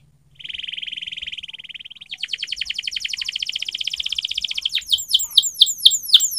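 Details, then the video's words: Canary in a training song: a steady buzzy trill, then a rising rapid rattle of repeated notes, ending in loud looping falling whistles. "Singing of canary_Training song canary//kenari gacor_setingan kenari//تدريب الكناري"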